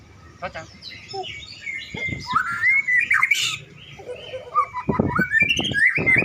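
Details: Pet white-rumped shama warming up before a songbird contest: a varied run of rich whistles, sliding rising and falling phrases and sharp chips, with clicking and background voices from people nearby.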